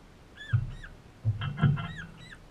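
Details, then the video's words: Young crimson rosella in an Australian backyard giving a few clear, arched whistled notes, rising then falling, spaced about half a second apart, over low thumps and bumping noises. "Crimson rosella"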